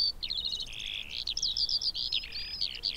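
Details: High, dense Eurasian skylark (Alauda arvensis) warbling of buzzy tones, rapid chirps and slurred whistles running without pause, with faint low background rumble.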